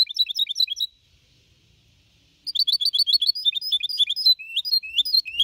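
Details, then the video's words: Four-and-a-half-month-old goldfinch hybrid singing clean Copia Malaga song in 2021. Brief fast twittering, a pause of over a second, then a long run of rapid chattering notes with a few downslurred whistles near the end. "Mixto de Jilguero Cantando Limpio (Copia Malaga) 2021 🎶 Tiene 4 meses y medio"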